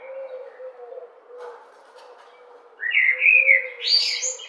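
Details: A blackbird sings melodiously: a low steady hum for nearly three seconds, then a burst of loud, fluty warbled notes climbing into a high twittering flourish.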